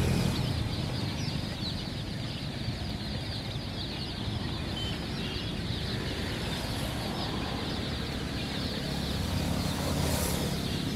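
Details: Colored baby chickens, many chicks peeping at once in a dense, continuous chorus of high, short chirps, over a steady low rumbling background noise.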